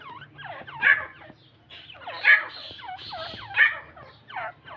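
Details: Irani teetar partridge calling in loud clusters of hoarse, falling notes, with peaks roughly every one and a half seconds and softer notes in between, against a faint low hum.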